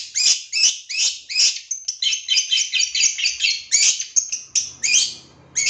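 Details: Lure recording of a long-tailed shrike, meant to trigger quick singing and aggression in another shrike. Rapid chattering series of harsh, scratchy high notes in tight clusters, with short thin whistles near the end.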